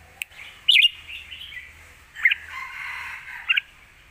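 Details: Caged red-whiskered bulbul singing in lak wai style, a master song for teaching young birds; long, dragged, steady tones broken by three loud, sharp, slurred chirps spaced over about three seconds.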